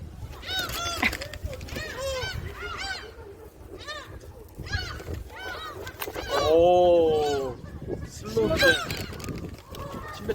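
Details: Gulls at Jebudo island, South Korea, are being fed. They give clusters of nasal downslurred cries, then one long drawn-out wail midway, with people chatting nearby.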